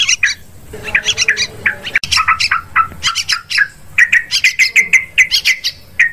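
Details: Yellow-vented bulbul lure recording, used to attract birds for hunting in forest, rice fields and plantations: dense bubbly chattering of short, varied notes, many downslurred, in quick bursts with brief pauses, ending in a run of even repeated chirps.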